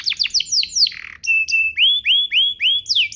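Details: Song of a canary played to make other canaries sing quickly: rapid falling sweeps, a buzzy note, steady whistles, then a series of rising upslurred notes about every quarter second.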